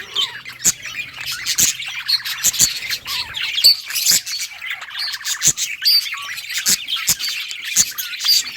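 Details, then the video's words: Colony of budgerigars playing and chirping, recorded August 25, 2023: rapid twittering warble with rising and falling notes, many birds overlapping, broken by sharp clicks and taps. "budgies beautiful colors playing and chirping sounds for lonely birds"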